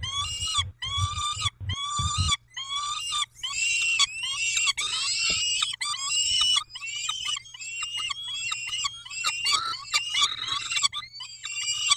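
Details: Peregrine falcons during a feeding at Dobra, 19 May 2021, 11:48: a few harsh wails, then a denser, overlapping run of grating, squealing calls from more than one bird, with a soft low hum.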